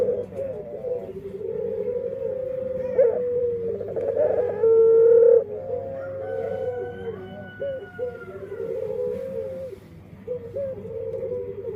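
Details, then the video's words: Dove with an unusual, unique-sounding voice, perhaps a defect. It gives low, hollow coos in a steady run, several per second, with a few higher drawn-out notes in the middle. A constant low electrical hum runs underneath. "Suara Unik Burung Puter // Unique Sound Singing of dove"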